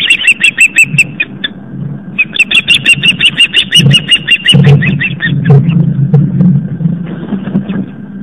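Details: Female osprey on a Long Island, New York nest in the evening, driving off an intruder: rapid strings of sharp whistled chirps, then a pause filled with wind-like rumble and a few softer notes.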